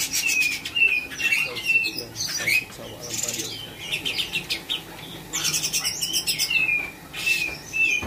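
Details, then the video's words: A spotted cucak cungkok bulbul in Bandung, early 2022, still being tutored with other birds' songs such as parakeet, sings bright whistled phrases sliding up and down in quick bursts, with clicking and rustling between. "Cungko trotol gacor"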